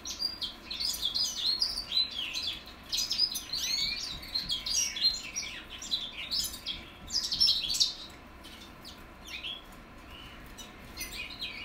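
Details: Young goldfinch mules from 2021 learning to sing: a soft, rambling stream of high twittering and chirped notes, fairly continuous for most of the twelve seconds.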